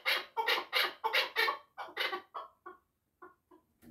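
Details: Chukar partridge giving rapid, throaty chuck notes in a quick run that slows and fades, the last few calls softer and spaced by brief pauses.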